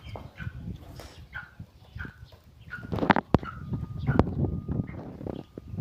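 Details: Black francolin, known locally as kala teetar, giving a series of short, rough mid-pitched notes repeated roughly every 0.7 seconds. Loud knocks, rustling and handling noise follow, with a faint steady hum underneath.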